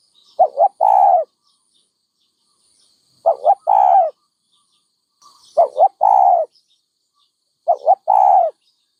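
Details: Dove repeating a low coo phrase four times, roughly every two and a half seconds: two quick wavering notes, then a longer steady coo, with silence between.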